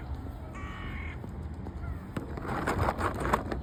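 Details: A rook at a bird feeding gives one harsh, drawn-out caw lasting about half a second, followed by scuffling and rustling over a low outdoor rumble.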